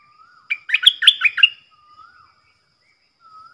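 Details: Caged decoy bulbul, one of four, in the forest: a soft low whistle, then a fast burst of chattering, bubbly notes lasting about a second, then further quiet, low, wavering whistles.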